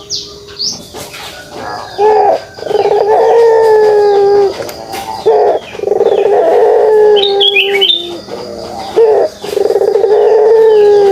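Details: Pelung dove giving its kugeruk call: deep, steady, humming coos about one to two seconds long, rising briefly at each start and repeated four times, with faint higher chirps from other small birds in between.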